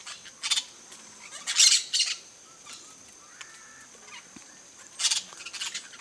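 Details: Campo flicker, a large South American grassland woodpecker: scattered loud, harsh squawking notes in short bursts with quieter pauses between them, a faint steady high tone running underneath.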